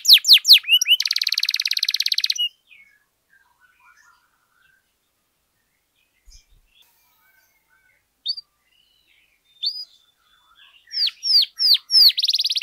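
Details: Canary in active, long-running song meant as a tutor and prompt for other canaries: opening burst of rapid high sweeping notes into a dense buzzy trill, a long quiet gap with a few isolated chirps, then loud repeated upward-sweeping whistles.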